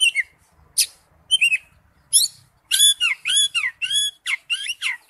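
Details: Oriental magpie-robin song used as a lure recording: varied whistled and harsh phrases, with rising and falling notes and some buzzy squawks, delivered in short bursts that quicken into dense phrases toward the end; quiet background.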